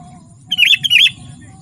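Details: Sooty-headed bulbul, used to lure wild bulbuls and train captive birds, giving one brief burst of two rolling, gurgling notes over a low background hum.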